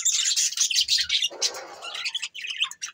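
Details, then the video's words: Several pet budgerigars, recorded on December 22, 2023, chattering in a dense flurry of high, scratchy chirps and squeaks. A brief softer, lower rustling warble comes in the middle before the rapid chirping resumes. "Standup budgies Parrot 🦜 Bueatiful Sounds Bueatiful Budgies birds"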